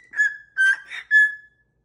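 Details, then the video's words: Short whistled phrase from a pet cockatoo: three sustained, slightly wavering whistles on nearly one pitch, the middle one breathier. "What a Happy Little Tune!"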